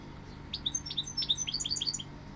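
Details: After a brief quiet start, a goldfinch breaks into rapid, high tinkling twitters and sharp chirps, quickening toward the end into a dense run of bright notes, over a low steady hum.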